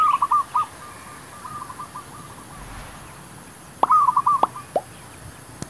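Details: Zebra dove, called merbuk, recorded while luring wild doves for trapping; short bursts of rapid staccato cooing notes at the start and again near the end, with faint hiss between phrases.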